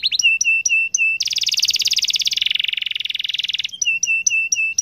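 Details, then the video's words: Long continuous Atlantic canary song used to prompt other canaries to sing, with short clear whistled notes around a dense, fast rolling buzzy trill lasting over two seconds, then more spaced whistled phrases. "KENARI GACOR NGEROL PANJANG AMPUH BIKIN KENARI LAIN IKUT BUNYI LAGI"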